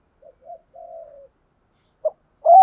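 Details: Decoy spotted dove: a few soft, low murmured notes, a short pause, then a sharp note and the start of a loud, drawn-out coo.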